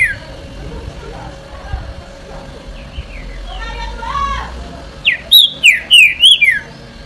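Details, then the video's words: Green-winged saltator singing: after a stretch of people talking and background noise, a loud phrase of about five clear, falling whistled notes in quick succession ends the recording. "TRINCA FERRO CANTO"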